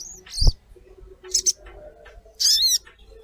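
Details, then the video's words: Collared kingfisher (sogon) lure recording meant to prompt caged birds to call: three short, harsh, high notes about a second apart, the last longer and ringing, with a dull thump near the start. "Pancingan suara sogon gacor"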